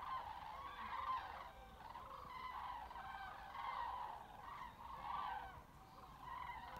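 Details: Cranes in a migrating flock heading north, seen on 20 February at 17:15. A chorus of rolling, bugling calls rises and falls in waves every second or two, many birds calling together with strident, slightly nasal overtones.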